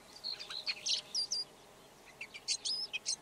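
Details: Quieter Red-backed shrike song of short thin whistles and scratchy chips in two loose bursts separated by a brief gap.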